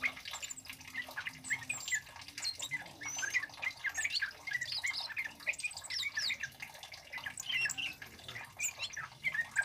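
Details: Male orange-headed thrush in loud, lively song of the cabe-cabean and bunga api styles, recorded as a lure and tutor for training birds; a steady stream of short chirped, twittering and squeaky notes runs without pause.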